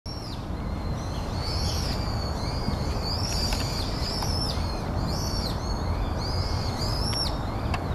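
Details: Brown-eared bulbul at Yatsu tidal flat on 6 January 2013: shrill, high, arching whistled calls with downward-slurred ends, given in loose series several times over eight seconds, over a steady low rumble of wind or distant traffic.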